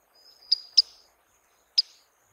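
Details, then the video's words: Swallow-winged Puffbird (Chelidoptera tenebrosa) gives thin, high-pitched notes: a sharp note with a sustained whistle, another quickly after, then a third a second later, in a quiet setting. "SOM DE URUBUZINHO (Chelidoptera tenebrosa) Swallow-winged Puffbird"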